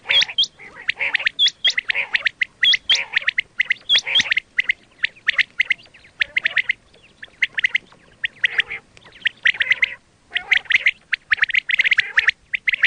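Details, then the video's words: Quail calls for hunting: a long, dense stream of harsh, chattering squawks, opening with repeated paired high whistles, broken by a brief pause before resuming as busy chatter. "quail 2024 Fresh sound Batair Ki awaz"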